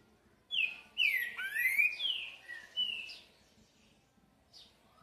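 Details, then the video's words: Song of the green-winged saltator in the 'boi' style, a burst of clear downward-slurred whistles with a rising swoop, followed by two softer notes and a faint far note. "TRINCA FERRO BOI"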